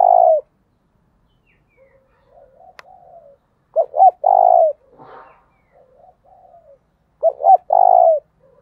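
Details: A spotted dove coos to lure wild doves. There are three phrases of clipped notes plus a long low coo, interrupted by a sharp click and a brief rustling sound.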